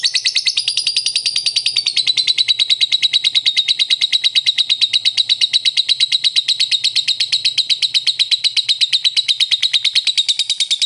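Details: Lovebird giving its long ngekek call, used to prompt another lovebird to call; a continuous rapid chattering trill of sharp high notes, about three per second, steady and unbroken throughout.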